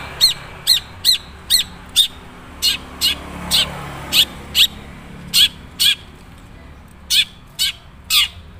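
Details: Madura long-tailed shrike giving its original, natural song, still with few learned imitations: loud, sharp, harsh chirped notes repeated about twice a second in short irregular bursts, with a quiet background.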